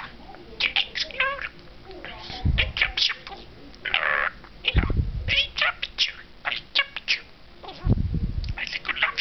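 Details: A male pet budgerigar rants in rapid chirps and clicks, broken by a few low, throaty burps as he releases gas, with a person's heavy breathing in the background.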